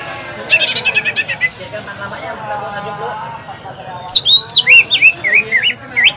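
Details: A green leafbird sings at a bird-singing practice contest field in Semparuk. The song is used as a lure to get other birds singing. A dry rapid rattle gives way to piercing, looping whistled slurs repeated several times a second, with people talking behind.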